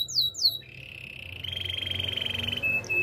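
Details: Singing canary, song for training: two brief falling sweeps lead into a long, even, buzzy trill held for about two seconds, closing with short clipped whistles.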